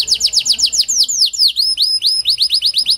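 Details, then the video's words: Canary song used to prompt quiet canaries to sing, a rapid series of loud, high downward-sweeping notes repeated about seven times a second, shifting into rising upswept whistles, with clean, quiet background. "Pancingan Kenari Panda AMPUH, Membuat Kenari Malas BUNYI Jadi Bunyi"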